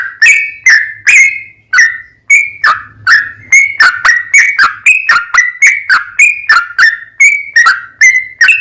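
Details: Lure recording of a sooty-headed bulbul's long, rapid song, meant to make other bulbuls call back: a steady stream of sharp, slurred whistles, each bending down then up, about three per second, with a faint low hum beneath.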